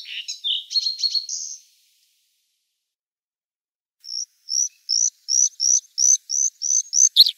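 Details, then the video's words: Bluethroat song: a brief varied burst of high chirps and buzzy trills, a two-second pause, then a run of about ten ringing, evenly spaced notes, roughly three per second, rising slightly in strength; no other sounds. "Варакушка (Luscinia svecica) - голос"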